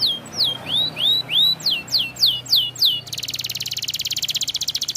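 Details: White canary singing vigorously: a series of clear swooping whistled notes, falling then rising slides, followed by a fast buzzy trill of rapidly repeated notes.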